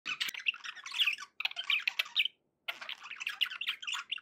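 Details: Budgerigar song: dense bursts of chattering, squeaky warbles and clicks, in three phrases separated by short pauses, the second pause near 2.4 seconds.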